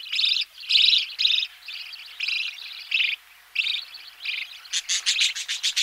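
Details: Budgerigar chicks being fed in the nest give rough chittering bursts, then a fast series of sharp, clicking pulses near the end.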